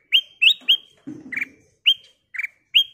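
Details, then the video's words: Lure song of a ruby-throated bulbul meant to prompt other birds: crisp rising whistles alternating with lower burry notes, about two per second, with a brief low rustling sound in the middle. "Burung Kutilang Emas Gacor suara kristal Cocok buat Pancingan"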